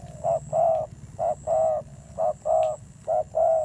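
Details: A wild-caught spotted dove calls in fierce style: four evenly spaced pairs of low mellow coos, each a brief note followed by a fuller sustained one, over a low rumble and a faint high steady whine.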